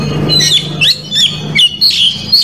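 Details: Oriental magpie-robin song fragment, sung to provoke rival males: a few clear high whistled notes with sharp upward and downward slurs, spaced by short gaps, over a low droning hum.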